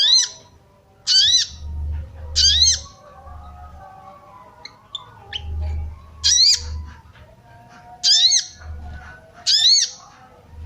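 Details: Sooty-headed bulbul female calling to excite males: clusters of high, sharp upswept chirps separated by a quieter gap in the middle, with faint low rumble and a few soft background notes.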